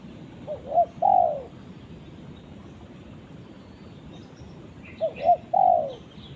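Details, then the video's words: Spotted dove calling its companion repeats the same phrase twice, about four seconds apart: two short coos and a long downward-sliding coo. Faint high chirps from another small bird are heard near the second phrase. "suara burung tekukur memanggil temannya"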